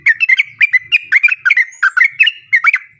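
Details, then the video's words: Long 'ropel' song of a lively sooty-headed bulbul, used to lure other bulbuls into singing back: dense, quick-fire chirps and bubbling notes, about six to seven a second, running unbroken for three seconds against a quiet background. "trucukan gacor ROPEL PANJANG buat pancingan trucukan agar bunyi JADIKAN burung trucuk gacor NYAUT"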